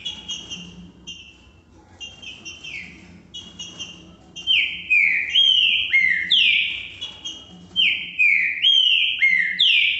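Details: Green-winged saltator singing the style called "que que eu fiz": loud whistled phrases of sliding, downward-slurred notes, starting soft then swelling into strong repeated phrases roughly every second, with a faint low hum underneath.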